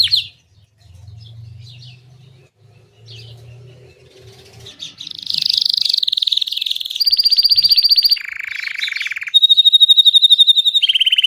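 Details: Gray Belgian canary song played to stimulate a pet canary to sing: after a few soft chirps and a low hum, long sustained rapid trills on steady pitches, switching between high and lower rolls.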